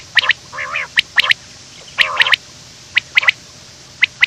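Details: Quail calling in the morning in short sharp bursts, clusters of bright chirps with a few lower warbled notes between them, irregular over about four seconds; offered as a call to lure quails.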